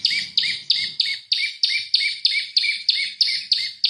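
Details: Prenjak lumut (prinia) lure song for oriental magpie-robins: piercing high chirps with a buzzy edge, repeated evenly about three times a second.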